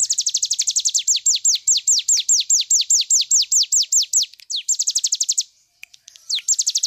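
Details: Cigun bird singing in rapid bursts, kept as a master recording for training other birds: a fast series of high, down-sweeping whistled notes that slows, then speeds into tight runs before a brief break and a final burst.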